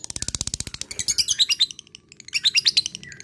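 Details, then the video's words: Fighter lovebird in ngekek style calling to a rival: fast pulsed chatter, then a brief gap and a second burst of shrill high notes mixed with sharp squeaks. "lovebird fighter gacor ngekek memanggil l4w4n"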